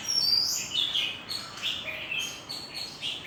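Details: Lively chirping birdsong welcoming a new day, with bright high whistles and short twittering notes following one another without pause.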